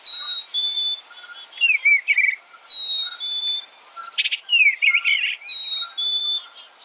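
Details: Warbling Eastern bluebird: brief gurgled phrases that swoop down and then rise, repeated every second or two, mixed with long level whistled tones and faint lower chirps from other birds.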